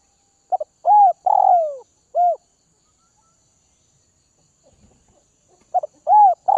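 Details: Spotted dove from Northwest Vietnam kept tame in captivity, delivering a full coo phrase ending in a long falling note, a quiet gap with faint rustling, then a new phrase beginning.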